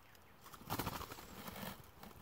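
A woodcock bursts up with a sudden half-second rush of fluttering, twittery wing noise, followed by softer rustling against a quiet, faintly hissing background.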